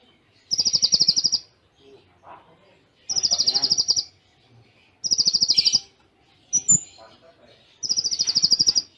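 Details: ['Konin training song with Cililin-style imitation notes and short pauses; a steady high buzzing trill of about one second, repeated four times roughly every two and a half seconds, with a brief whistled note between.']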